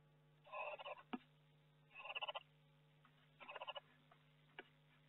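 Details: Barn owl in a nest box in May, with hatching chicks and a visiting third owl; three rasping, hissing bursts about a second long, spaced roughly 1.5 seconds apart, with a steady low hum behind.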